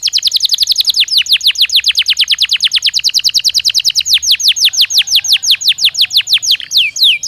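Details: Belgian canary singing naturally: a very fast, steady trill of high, sweeping notes slows gradually toward the end, closing with two looping whistled phrases.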